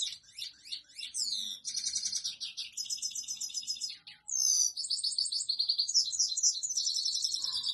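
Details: Male European goldfinch (saira) singing to a female to court her, a continuous stream of bright twitters, buzzy trills and rapid high chirps, briefly dropping quiet near the middle before resuming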